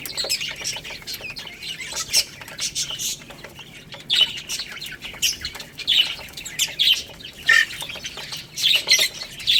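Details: Young chicks feeding on rice utter clusters of piercing high chirps and squeaky peeps between bouts of clicking pecks.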